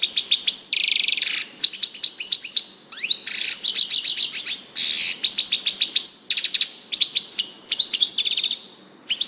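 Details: European goldfinch in full song, a busy stream of tinkling high notes, nasal buzzes and rapid trills, phrases following one another almost without break.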